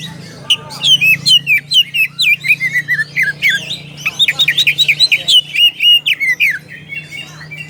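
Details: Calling a rival, an oriental magpie-robin pours out a continuous stream of loud whistled slurs, chips and buzzy notes, rising and falling in quick succession over a steady low hum.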